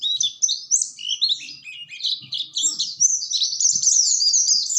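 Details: Oriental white-eye warbling continuously, a tumbling run of high chirps that grows into an unbroken fast twitter.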